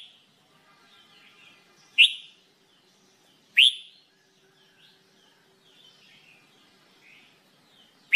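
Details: Red-whiskered bulbul (jambul bulbul) in singing training: scattered soft warbled notes broken by three loud rising whistled notes spread over eight seconds.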